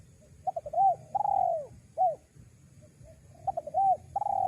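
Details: Spotted dove luring call, used to draw in wild doves: mellow cooing phrases of a few quick short notes followed by a longer, downward-curving coo, the phrase repeated twice with a faint low hum underneath.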